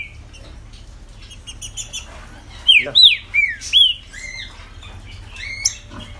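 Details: Green-winged saltator kept by its owner, quiet scattered chips at first, then a burst of four loud rich whistled notes rising and falling in the middle, followed by softer chirps.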